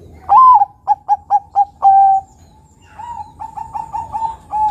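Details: Bangkok-type zebra dove (perkutut) singing steadily, used as a lure to get other doves to sing: a loud rising-falling coo, a quick run of short clipped notes, a long level coo, then a softer run of similar notes.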